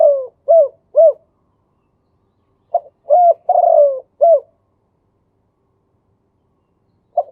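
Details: Male spotted dove singing in the khan yon 2 kuk style: short mellow hooting coos, three near the start, then a cluster of coos with one longer drawn-out note around the middle, and a single coo at the end, in clear quiet surroundings.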